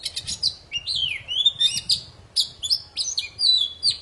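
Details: Poci bird in lively song, recorded for playing to silent poci birds to get them singing again: high whistled notes gliding up and down, some slurred downward, mixed with short buzzy chirps, delivered in quick phrases.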